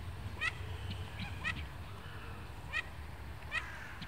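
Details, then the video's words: Chatter of mandarin ducks in Warsaw's Royal Łazienki Park, Poland, with spring in the air: several quick, squeaky upward-sweeping notes, some in close pairs, spaced irregularly over a constant low-pitched background rumble. "Kaczka mandarynka - głosy"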